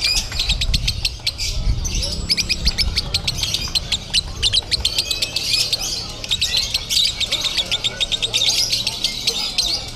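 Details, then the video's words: Competing at a Bandung, Indonesia singing contest, a lovebird pours out konslet-style chatter: strings of fast, piercing clicks and squeaky notes, with low rumbling background noise. "LOVEBIRD KONSLET CRAZY"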